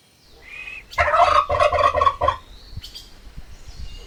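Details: A turkey gobbles in one loud, fast, throaty rattle lasting just over a second, with a thin whistled note just before it and softer chirps after.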